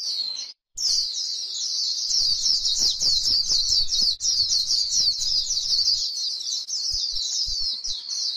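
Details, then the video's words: White-eye singing on grassland in the líu style: a rapid, rolling stream of high, thin, slurred twitters, repeated several times a second after a short silent opening. "KÍCH KHUYÊN LÍU CHUẨN chim khuyên trên đồng cỏ white eye bird"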